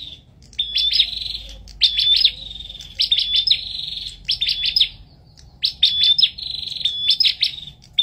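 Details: Bar-winged prinia in a song duel: piercing chip notes in tight groups of three to five, each group opened by a thin whistle, phrases spaced about a second apart.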